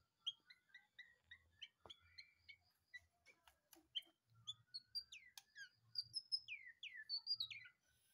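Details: Captive white-rumped shama, just taken from a breeding cage, singing lively: a varied run of short whistled and chirped notes, early phrases repeated roughly twice a second, then louder sweeping and rising whistles with faint low thumps.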